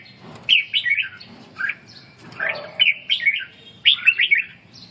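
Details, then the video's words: Red-whiskered bulbul singing during stamina recovery and ché song training: three bursts of bright, warbled, whistled notes, each a quick run of rising and falling syllables, separated by short pauses over a quiet background. "Phục hồi suy lực và luyện ché"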